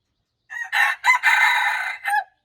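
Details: Crowing junglefowl, March 19, 2025: a rough, strident four-part call with a stuttered start, a drawn-out buzzy central phrase, and a short falling tail note, nothing else audible.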